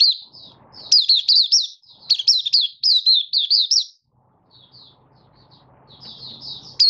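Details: Malaysian Oriental white-eye, a caged hobby bird in minor moult and building form, recorded 24 August 2023 singing 'buka sing': rapid strings of high, wavering, looping whistles, then softer scattered chips over a low hum.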